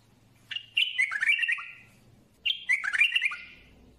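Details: Bulbul song in two matching phrases about two seconds apart, each opening with a clear whistled note and breaking into quick, tumbling warbled chirps that fade away, with a low hum beneath.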